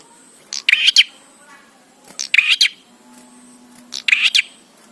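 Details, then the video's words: Bar-winged prinia song used as a training recording for birds: three short bursts of sharp, high chirps, each a cluster of two or three notes, spaced about every 1.7 seconds, with faint low background hum. "Prenjak Gacor Suara Ampuh💯% BIKIN PRENJAK CEPAT BUNYI"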